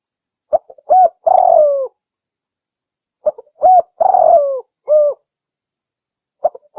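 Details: Calls of a female spotted dove, a sound used to lure birds: clipped introductory notes, then a drawn-out falling coo and a short closing note, each phrase repeating about every three seconds against silence.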